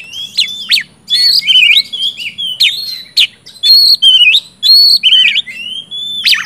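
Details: Oriental magpie-robin belting out 'gacor ngeplong' song as lure for non-singing birds of its kind: sharp clicks alternating with long wavering whistles that dip and rise, delivered in bursts about a second apart.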